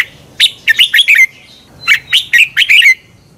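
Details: Red-whiskered bulbul singing in competition style, used to spur other birds: two lively phrases of five or six rapid, slurred chirps each, bright and warbling, separated by a brief pause.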